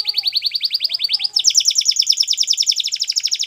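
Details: Belgian canary giving a continuous rapid trill of bright repeated notes, about three per second faster after a shift to a slightly higher, richer phrase midway.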